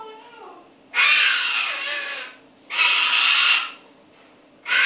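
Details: Cockatoo mimicking another sound: loud, harsh, raspy bursts about a second long, each full-toned and broadband, three in close succession with quiet gaps between, preceded by softer, lower tonal sounds at the start.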